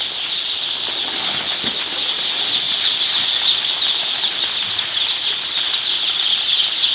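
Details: Newly hatched baby chickens on their first day at a poultry farm during brooding. A dense, continuous chorus of high, shrill overlapping peeps from many chicks fills the whole clip, with no pauses.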